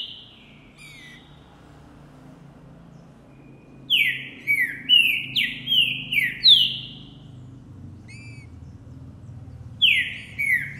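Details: Singing male green-winged saltator, Boi style, recorded January 2024 after he saw a female. Faint notes at first, then a loud phrase of six falling, slurred whistles, and a single phrase start near the end.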